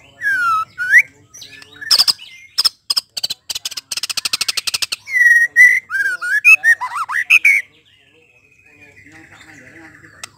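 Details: White-rumped shama, presented as a bird whose song provokes other shamas into singing their full repertoire, giving a rich varied song of whistled slurs, rapid clicking trills and buzzy rattles, with sharp broadband notes in the middle and a faint steady whistle at the end.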